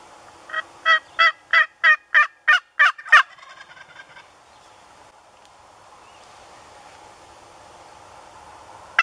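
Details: Young male wild turkey, a jake, in New Brunswick, Canada, on a spring hunting morning: a rapid run of eight loud, evenly spaced gobbling pulses over about three seconds, then quiet woods with faint background hum.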